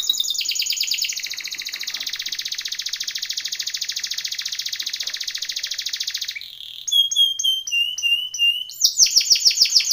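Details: Timbrado canary training song: a long, even, rapid roll lasting about six seconds, followed by looping metallic whistles and a fresh burst of fast trilling.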